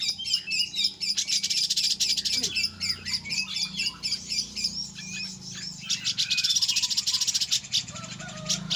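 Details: Grey-cheeked bulbul singing a long run of quick, scratchy chattering notes, about four per second, mixed with slurred whistles.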